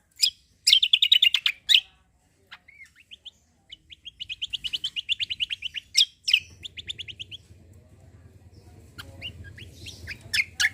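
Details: Cucak kombo singing hard as a lure for untrained birds: a burst of loud sharp chirps, soft twitters, then a long even series of quick high notes, with low background rumble.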